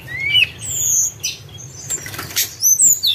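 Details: Tledekan gunung song for luring, thin high whistled notes, some long and level, others short downslurs, mixed with faint clicks and scratchy sounds.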